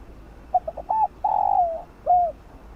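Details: Spotted dove cooing in a rural-type style used to lure birds: short soft coos, then a long drawn-out falling coo and a final short coo, low-pitched and mellow over faint background noise.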